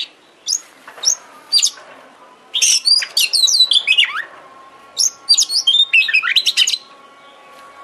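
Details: Oriental magpie-robin (kacer) lure song to spark singing and tail display: short bursts of shrill chirps and descending whistled sweeps, roughly four notes per second, with a faint steady tone underneath.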